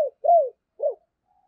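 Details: Decoy spotted dove calling to stir other doves to coo: two short, mellow coo notes, the first rising then falling, a brief pause between, in a quiet setting.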